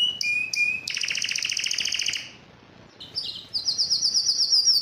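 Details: Singing yellow canary: short whistled notes, then a buzzy rapid trill lasting about a second, a pause, and a series of very high quick pulsed notes.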